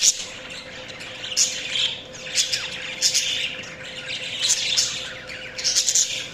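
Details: Several budgerigars chirping: bright, scratchy chattering bursts in uneven clusters about every second, with sharper squeaky peaks and a faint steady hum underneath.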